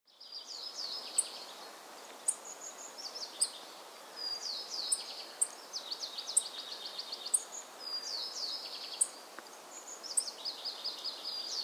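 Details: Tristram's bunting in Pingtung County, Taiwan, 15 November 2019, gives thin, sharp, very high ticks about once a second over a busy backdrop of high, twittering chirps from other small birds.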